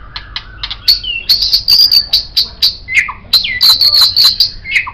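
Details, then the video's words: White-rumped shama song used as a master tutor for songbirds: bright high trilled phrases with sharp clicks and a few lower slurred notes, brisk and varied. "MURAI BATU Ini Sangat Cocok Dijadikan Masteran Burung Kicau"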